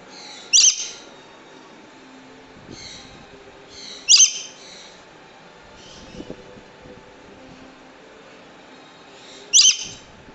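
A Swainson's lorikeet gives three loud, harsh, grating screeches several seconds apart, with a few softer squawks between them over a faint background hum.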